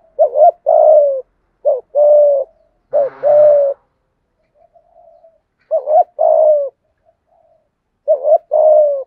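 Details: Spotted dove giving its complete calling, urging and cooing song to prompt other doves to respond; four two-part phrases of short warbled note plus sustained low coo, one phrase roughened by a brief noisy burst, soft murmurs between.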